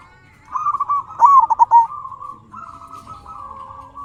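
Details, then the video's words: Local zebra dove cooing to prompt answering doves, a short burst of fast staccato notes sliding into a long steady purring tone, with a second dove's level coo continuing afterward. "Suara burung perkutut sangat istimewa 100% auto nyaut"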